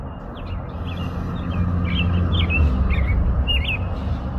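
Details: American robin song: six or so slurred whistled notes in quick succession, carried over a loud low hum and rumble that swells midway.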